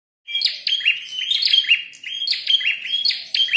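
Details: Red-headed prinia in a fight, calling busily: rapid bursts of sharp, high chirps and short buzzy trills, repeated in quick clusters after a brief silent start.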